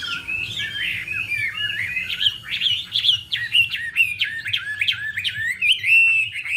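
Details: Chinese hwamei female dancing to provoke the male gives varied, jerky whistled phrases, upward and downward swoops repeated rapidly, growing more emphatic in the middle, over a faint low hum.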